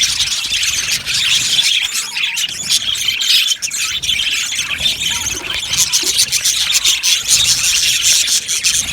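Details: Aviary colony of budgerigars, dense continuous high chatter of chirps, squeaks and warbles from many birds, steady and loud with one brief dip midway.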